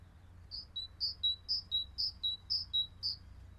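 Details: Great tit singing its two-note 'teacher, teacher' phrase, high then lower, about seven times in quick succession over a faint low rumble, heard on an early-morning birding walk in Yorkshire as the sun rose.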